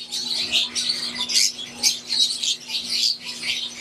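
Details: A group of aviary Fischer's lovebirds, green wild type and Euwing, chirps in shrill pulsing bursts of about a second each, rising and falling, over a constant low hum.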